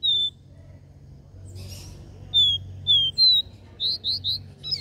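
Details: Capped seedeater with the regional 'dó ré mi' three-note song: spaced pure whistles, then a quicker run of three bright rising notes near the end; a constant low hum underneath.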